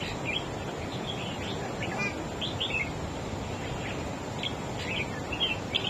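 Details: Wild-caught red-whiskered bulbul singing in a duel against another bird: short bright whistled phrases with warbling turns, repeated through the stretch, over steady broadband background hiss.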